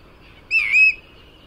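A Bristle-thighed Curlew gives one clear, slurred whistle, high and slightly arched, lasting under half a second, against a quiet background.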